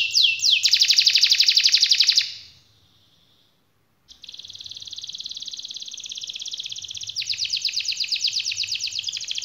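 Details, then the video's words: Canary singing long 'gacor' rolls: a loud fast trill for two seconds, a brief silence, then a long steady buzzy roll that shifts into a higher, rapid series of notes. "suara kenari gacor ngerol panjang"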